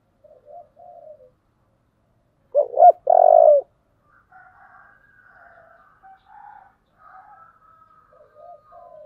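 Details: Spotted dove singing in the "giọng thổ" style: a single loud phrase of two short clipped notes then a long deep coo, with faint soft chirps from other birds before and after.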